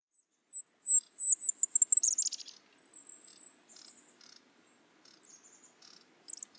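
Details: Golden-crowned Kinglet song, a winter-woodland bird: very high, thin notes rising in a tense, quickening series, then tumbling into a lower, relaxed falling chatter, with fainter high notes after.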